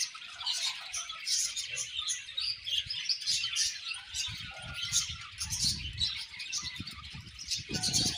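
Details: Pairing budgies keep up a continuous stream of scratchy, high-pitched chirps and warbles, bright and busy, with occasional soft low knocks toward the end.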